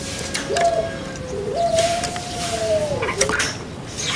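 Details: Kept Barbary dove, known locally as puter pelung, singing a long, steady, hollow note that steps slightly higher midway and holds for over two seconds before dropping off. Faint clicks and background hiss are also heard.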